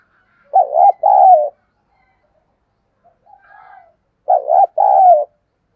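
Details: Spotted dove kept as a decoy, cooing eagerly: two loud two-part coo phrases separated by a soft, low murmured coo, each phrase a quick throb then a longer level note.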